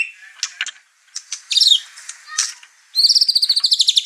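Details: White-rumped shama in an excited state, its singing agitating the household's other birds; scattered chirps and rattling notes, then a fast, evenly repeated high trill.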